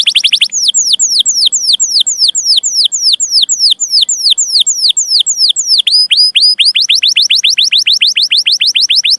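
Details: Canary song used as a tutor recording for young canaries. Brief high notes, then a long run of quick, descending whistled sweeps repeated about three times a second, changing to a faster, tighter series of falling notes near the end.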